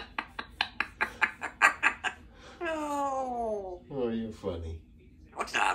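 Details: Female Congo African grey parrot, a talkative pet, spending time with its owner at work indoors: about ten sharp rhythmic clicks, then a long wavering harmonic whistle sliding downward and a shorter falling note, with human voices nearby.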